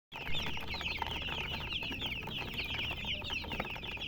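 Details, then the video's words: A crowd of baby chicks peeping nonstop, high shrill chirps overlapping into a constant twittering over a low background rumble. Chicken. "Baby "Chicks Chirping" Sound"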